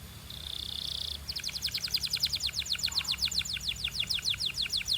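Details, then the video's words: Canary song for training and coaching: a held buzzy note opens into a fast, regular trill of bright clipped notes, about seven each second, over light hiss. "DO THIS and your BELGIAN CANARY will SING A LOT!"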